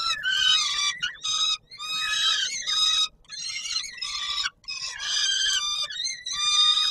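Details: Peregrine falcons at the Palace of Culture and Science in Warsaw, Poland, at feeding time on 17 July 2022: harsh, rasping, harmonic screams in bursts of about a second, separated by short silent gaps.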